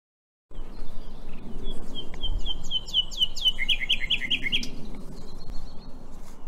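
Common Nightingale song: a run of high whistled notes building into a fast, rich series of repeated slurred phrases, over a low background rumble.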